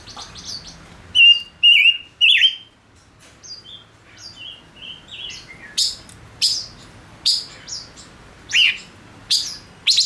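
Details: Singing male Gouldian finch used as a lure: loud buzzy high phrases at first, then a pause, then quick twittering followed by sharp loud chirps every second or so.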